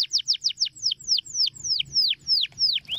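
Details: Canary song used to prompt young canaries to start singing: a fast series of clear descending whistled sweeps, about three per second, slowing into longer downward slurs and ending on a rising note.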